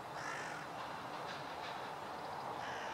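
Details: Crows feuding with a Northern Goshawk, recorded 2016-04-04: two hoarse caws, one at the start and one at the end, separated by a quieter stretch of steady background noise.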